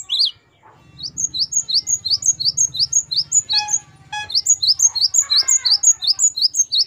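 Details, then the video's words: Gelatik batu (great tit) in 'gacor wucit variasi' song for captive bird training: an almost unbroken, brisk series of thin, high two-note phrases over a faint low hum and some mid tones. "Gelatik batu gacor wucit variasi. Great tit. Singing birds."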